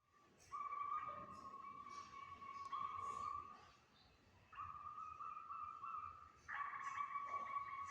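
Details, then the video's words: Local zebra dove, used as a lure, singing actively. It gives steady, mid-pitched cooing notes in bursts of one to two seconds separated by pauses, quiet against a soft background hiss. "Pancingan burung perkutut lokal gacor"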